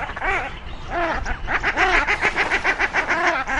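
Shelducks squabbling: nasal, arching honks at first, then a fast run of rhythmic quacking notes, about three to four per second.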